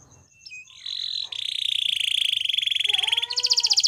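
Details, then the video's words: Gloster canary singing a training song: a buzzy trill around mid-high pitch builds into rapid repeated notes about four per second, ending in bright high rolls with a few lower whistled slurs. "Gloster Canary Singing | Canary Training Song"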